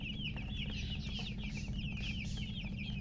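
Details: Newly hatched chicks piping loudly in a nonstop rapid stream of high, downward-slurred peeps, set against a strong, steady low hum.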